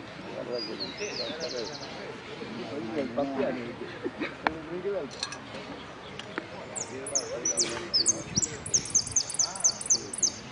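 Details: Finch singing in the 'sin cierre' category at a Merlo contest on 3 December 2017, where it took third place: a short high trill, then a string of rhythmic high chips near the end, over men chatting.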